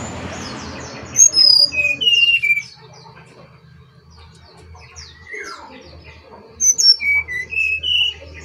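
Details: Brown-chested jungle flycatcher singing two bursts of clear whistled notes that step down from high to lower pitch, each about a second and a half long, with soft scratchy chatter between them and a low steady hum.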